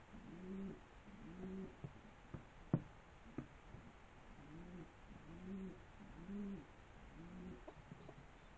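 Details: Pigeons cooing indoors: a run of soft, low, rounded coos, each rising and falling, arriving in quick bursts, with a few sharp clicks and knocks in between.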